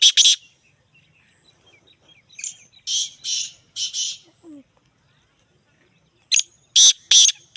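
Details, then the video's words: Black francolin giving loud, harsh, grating phrases of three or four rasping notes, repeated twice, with faint small chirps in the gaps. "Black Teetar birds Beautiful Singing"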